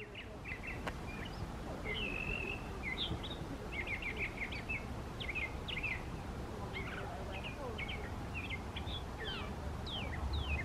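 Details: Mockingbird singing in a park, not far away: a varied run of short phrases, each repeated several times before switching, including chattering trills, clear whistled notes and sharp downslurred calls, over a low steady hum of background noise.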